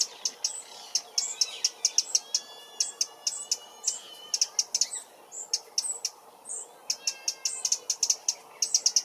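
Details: Eurasian wren alarm calling in a London park after spotting a potential enemy like a magpie or crow: dense, uneven bursts of harsh, high ticking notes, loud teck teck teck series with short pauses between bursts.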